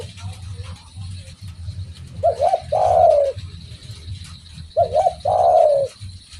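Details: Spotted dove (derkuku) repeating a two-part phrase twice: a quick double coo, then a long, full, slightly falling coo. Low rumble and faint high tone in the background.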